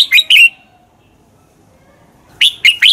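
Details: Red-whiskered bulbul fighting song for bird training: a short pair of clear whistled notes, a long pause, then a three-note rising and falling phrase.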